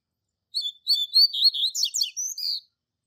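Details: Double-collared seedeater master bird with the classic Tui Tui Zel Zel song for young birds in training: whistled opening notes, rapid sweeping buzzy notes, then two drawn-out high whistles closing a two-second phrase.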